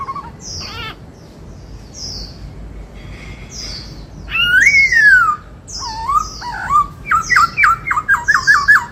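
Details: White-cheeked laughingthrush in captivity singing the 'bắt cô trói cột' song: scattered high thin squeaks, a strong whistle sliding downward, a wavering phrase, then a fast burst of repeated clipped notes about two and a half per second.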